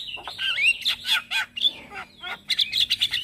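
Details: Male Javan myna singing in the morning, played as a lure and tutor song for starlings: a rapid medley of harsh chattering bursts and clear high whistles, some slurred downward, with short gaps between phrases.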